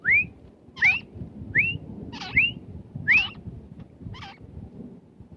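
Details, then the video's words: Desi teetar, the grey francolin, giving a rapid run of upward-sweeping whistles that alternate with harsher, broader notes, about five phrases in quick rhythm, with a steady low hum behind. "Desi Teetar Ki Boli | Teetar Voice"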